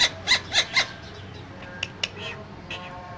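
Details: Green parrots, two of them caged, giving four loud rasping squawks in quick succession, followed by a few scattered softer harsh notes.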